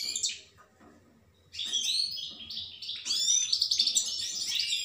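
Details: Singing goldfinch: a short twitter, a quiet gap, then a sustained run of rapid, jangling high notes and twittered trills.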